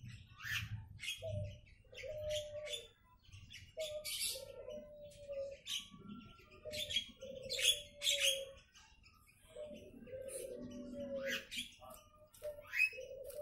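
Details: A bantam chicken foraging on its own on a sunny Sunday morning in South Jakarta gives short, even-pitched clucks in repeated bursts while small birds chirp brightly behind.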